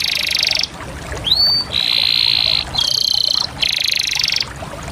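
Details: Singing canary: a pulsed roll, then a sharply rising whistle, followed by three further sustained buzzy tours of slightly differing pitch.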